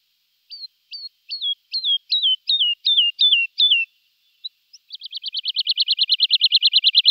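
Woodlark song: about eight clear, fluty notes, each dropping in pitch and quickening slightly, then a fast, rolling 'lu-lu-lu' trill lasting over two seconds.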